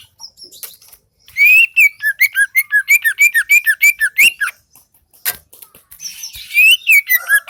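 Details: Greater green leafbird from the Seulawah valley in Aceh, singing gacor: quiet soft notes, then a loud lively run of looping whistles and chips about three per second, trailing into scattered clicks before a final whistled burst.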